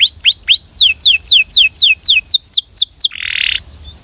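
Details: Belgian canary delivering a rhythmic song of slow, clear downslurred whistles about two per second, closed by a short harsh buzzy note.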